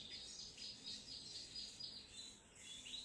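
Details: Sogon trotol singing a fast series of high, clipped notes in quick pulses, bright and chattering, with quiet low background noise.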